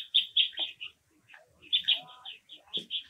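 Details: Japanese waxwing giving quick runs of sharp, clipped chirps that repeat in small clusters, a few notes dropping in pitch, separated by a short silence near the middle.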